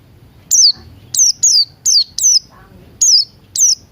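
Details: Buxton's white-eye singing in the morning, played as a lure so birds start singing, mixed with Crested Jay sounds: a rapid run of seven high, falling whistles, with a brief lower rising note midway.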